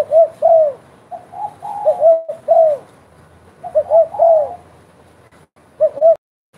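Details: Spotted dove cooing steadily: repeated low phrases of short paired notes ending in a drawn-out slurred coo, with soft extra coos between them. The sound cuts briefly near the end.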